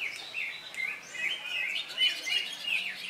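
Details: Brief stretch of a Greater Green Leafbird singing in competition in Indonesia after its moult; sharp whistled notes with quick upward and downward slurs, a few clear peaks near the end.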